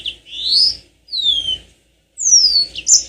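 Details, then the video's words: Yellow-fronted canary song, played to prompt caged birds to sing long rolling phrases: three separate clear whistles, one rising and two sweeping downward, with silent gaps between. "Pancingan tercepat burung mozambik biar gacor ngerol panjang"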